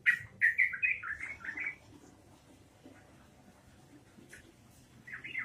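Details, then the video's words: Yellow-vented bulbul (trucukan) singing actively in the rapid ropelan style: a quick run of six bubbly, warbled notes over about two seconds, then a pause and a fresh phrase starting near the end. "trucukan gacor ropelan edan trucukan gacor"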